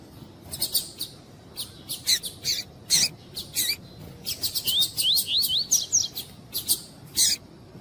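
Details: Female Double-collared seedeater (coleiro tui tui) calls used to warm up a male to sing for tournaments. Dense sharp, clicking chips dominate, with a short run of thin rising whistled notes midway and a few more near the end.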